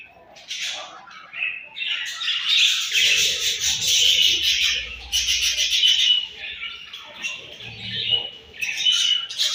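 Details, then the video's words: Budgerigars chirping in the morning at feeding time; dense overlapping warbling chatter and buzzy chirps, continuous with brief dips, several birds calling at once. "𝘽𝙪𝙙𝙜𝙞𝙚𝙨 𝙈𝙤𝙧𝙣𝙞𝙣𝙜 𝙁𝙤𝙤𝙙 𝙒𝙞𝙩𝙝 𝙈𝙤𝙧𝙣𝙞𝙣𝙜 𝘾𝙝𝙞𝙧𝙥𝙞𝙣𝙜 𝙎𝙤𝙪𝙣𝙙𝙨"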